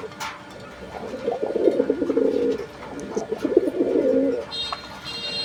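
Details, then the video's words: At a pigeon farm in Gazipur, Bangladesh, domestic pigeons give a low, throaty, rolling coo in bubbling bursts. "কবুতরের মুখের যে আওয়াজ এটাও কিন্তু আপনারা শুনতে পাচ্ছেন।"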